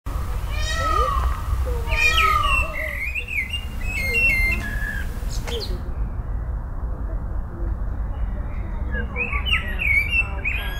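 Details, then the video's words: A blackbird sings a busy run of clear whistles, slurred downward notes and chirps, then fades into scattered higher chirps over a steady low rumble of background noise. "Black bird singing"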